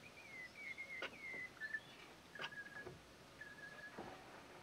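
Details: A male red-rumped parrot at Patchewollock Conservation Reserve, Victoria, gives thin, high whistled notes, some sliding and warbled, in loose phrases over a quiet background with a few faint clicks.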